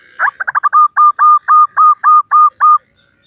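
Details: Local female zebra dove calling to males, used to lure and prompt males to sing: a quick stuttering run of short notes, then about eight evenly spaced clipped coos at a steady medium pitch, ending abruptly.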